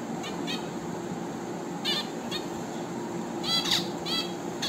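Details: Finch giving short nasal, harmonic-rich chirps, singly and in a quick cluster near the end, over a steady low hum.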